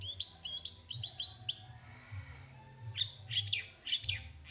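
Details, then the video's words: Long-tailed shrike in a singing contest: bursts of sharp, high chirped notes in rapid series, a pause, then another run of scratchy rising-falling notes, with low background rumble. "burung cendet "ABG" plaosan juara"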